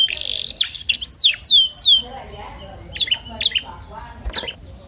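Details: Canary song for stimulating canaries to sing: a buzzy opening, a few downward-sliding whistled notes, then sparse short chirps separated by quieter gaps.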